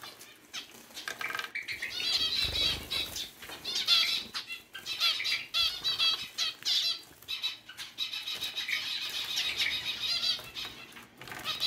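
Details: Grey zebra finches bathing, with one sliding around under a flower and getting wet, give bursts of nasal, buzzy chatter mixed with flutters of wings.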